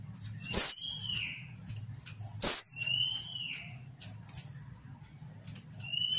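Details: A female white-eye provokes males to call. Two sharp descending squeaks with thin trailing whistles about two seconds apart, then fainter short whistles. A low steady hum sits in the background.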